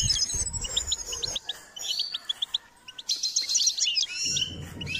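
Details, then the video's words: A goldfinch being stimulated to sing gives tinkling bursts of high chirps and buzzy twitters, a quieter stretch in the middle, then a renewed bright flurry over a low background hum. "Step by step enhancing the goldfinch’s singing"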